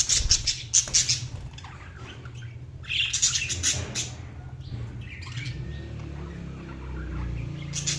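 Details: Budgerigars chirping: sharp high chirps and chatter in short bursts, between quieter stretches, over a steady low rumbling hum.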